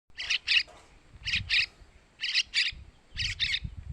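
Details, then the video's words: Sooty-headed bulbul chick begging, used as a lure for males: four pairs of harsh, high chirps in quick doublets, spaced about a second apart, with low rumbling noise beneath. "Suara Anakan Trucukan buat Pancingan burung Trucukan jantan"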